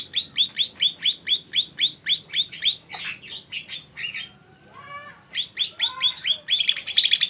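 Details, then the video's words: Lesser green leafbird repeating quick, rising, whistled chirps about three a second, broken by a brief noisy passage and a lower, drawn-out, harmonic sound, then chirping again into a buzzy finish. "Suara burung cucak ijo mini"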